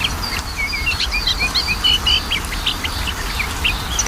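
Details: Magpie-robin lure sound for a bird that will not sing, with a string of short whistled notes and chirps, fairly fast and uneven, partly masked by strong broadband hiss.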